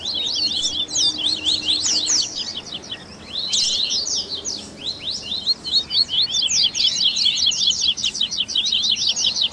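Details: Double-collared seedeater 'baderna' for warming up and training caged birds, blending tui tui, grego, viviti, flauteado and 3ª nota songs: continuous dense high twittering with rapid chip series and one brief dip in volume.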